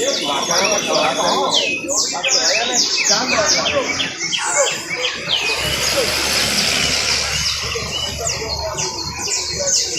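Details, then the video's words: Canary trilling in quick chains of sharp downward-sweeping notes at the start and end, broken mid-way by a loud broadband rushing noise that masks the song. "trino de canario"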